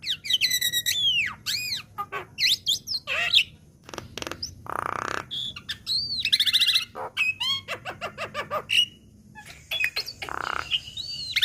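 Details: Young black-winged myna in a training recording, delivering a varied run of arched whistles, squeaky chirps, harsh buzzy rasps and rapid clicking notes with short pauses between phrases.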